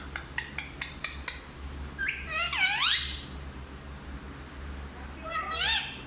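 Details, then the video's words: Pet parrot indoors giving curving squawk-like calls, a run of short sharp clicks at the start, then two loud rising-and-falling cries with a steady low hum underneath. "सबसे अच्छा हिंदी बोलने वाला तोता ll Parrot Talking"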